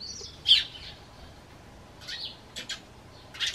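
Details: Pet sparrow kept indoors, calling in reply to its owner's whistle: sharp high chirps, one loud burst near the start, then short clustered chirps toward the end over a quiet room.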